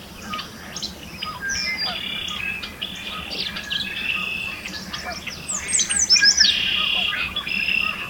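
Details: Yellow warbler singing in spring in Alberta, Canada, hidden among fresh green leaves, recorded with a Nikon D500. Soft scattered chips lead into a bright, high, quick descending phrase near the end, followed by a steady, thin sustained tone, over background chatter from other birds.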